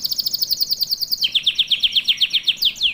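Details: Singing canary used as a master for training youngsters: a quick run of even high chips about a dozen per second, shifting to a slightly lower, fuller trill, closing on a falling slur.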